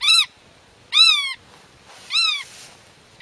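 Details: Black-tailed godwit guarding its nest, addressing hidden chicks and driving off intruders from its territory: three loud nasal calls, each bending up then sliding down, spaced roughly a second apart in a quiet setting.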